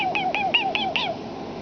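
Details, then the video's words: Talking pet common starling imitating human speech in a small room: five short, evenly spaced voiced syllables with wavering tone over about one second, speech-like in rhythm, then quiet. "the Talking Starling"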